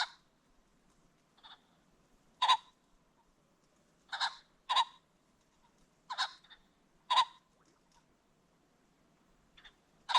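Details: Repeated harsh, raspy bursts from a ring-necked pheasant recorded along a creek bottom as the sun sets, about six loud calls spaced one to two seconds apart, some doubled, with soft noises between.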